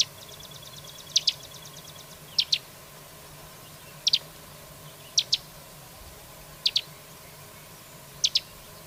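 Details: Carrizalero song opening with a fast, even, rattling trill, followed by crisp paired high notes repeated about every one to one and a half seconds against faint constant hum.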